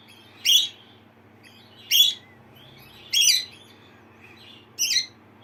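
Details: A pet female Lineolated parakeet responds to her own contact call, giving four bright, chattering chirps, high-pitched and a little buzzy, about every one to one and a half seconds, with quiet room hum underneath.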